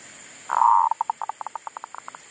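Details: Decoy zebra dove resuming its song in a garden after being upset by wild monkeys, a sustained soft coo leading into a rapid string of clipped rhythmic notes that gradually spread out.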